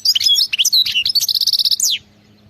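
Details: European goldfinch in khalawi song: jumbled high twitters lead into a steady run of evenly pulsed buzzy notes, closing with a sharp downward slur.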